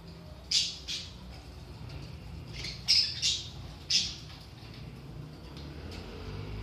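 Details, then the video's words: Budgerigars, played to stimulate inactive budgies. Short, harsh, high squawks come in scattered bursts, two close together near the start, then a cluster of three, over a quiet room background. "صوت طيور البادجي"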